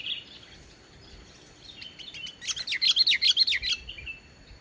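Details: Sooty-headed bulbul in lively song, no mixed-in phrases, meant to lure reluctant bulbuls: quiet scattered notes build into a quick run of loud, evenly spaced high chirps, then fade.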